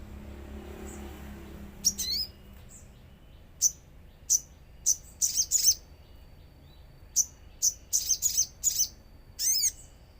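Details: Lure recording of a common iora singing amid nature sounds: bright, very high chips and short sweeping notes, some in doubled or tripled bursts, scattered irregularly over ten seconds against soft low rumble.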